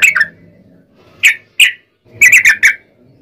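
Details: Sooty-headed bulbul in long rolling song, played to lure other bulbuls into singing: short bright chirped notes in scattered bursts, a lone pair, then two singles, then a quick run of four.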